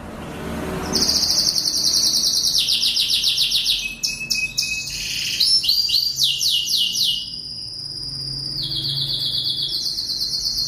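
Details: Lancashire canary, a large breed originally from England, singing steadily as a master song for training young canaries: fast trilled rolls in repeated bursts at varying pitch, shifting between high tours every second or two, with quiet background hum.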